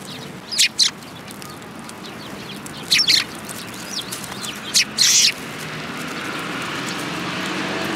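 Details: Eurasian tree sparrows coming to be fed at a Tenmangu shrine on 10 February 2022; three short bursts of high, harsh chirps, paired notes near the start, middle and five seconds, over a faint steady hiss.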